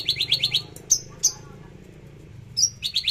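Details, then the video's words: Javan bush lark firing off trotol shot-like bursts: a rapid series of bright rising chips, two piercing high whistles, a short lull, then another quick burst of sharp repeated notes, over low humming noise. "Branjangan javanica lepas trotol tembakan sadis"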